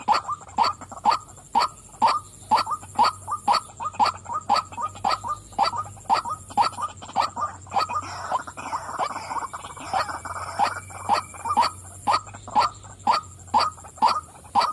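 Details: Calling female white-breasted waterhen: strong 'wak' croaks repeated roughly two per second for the whole stretch, briefly blurring into a rougher burst midway, over a thin steady high tone.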